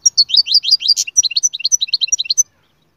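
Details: Canary song made of rapid downward-swept chirped notes, repeated many times at a brisk, even pace for over two seconds and then ending abruptly.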